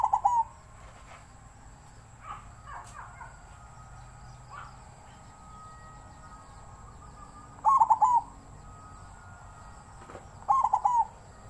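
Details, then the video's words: Zebra dove, captive-bred young with a wild-type voice, giving brief stuttering trilled coos at the start and twice near the end, separated by long quiet gaps with faint background noise. "นกเขาชวา #ลูกเพาะ เสียงป่า"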